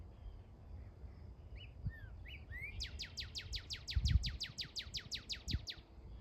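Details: Northern cardinal singing a song likened to Star Wars sound effects: a few slurred whistles, then a fast run of about eighteen steep downward-sweeping notes, roughly six per second, over low rumbling background noise.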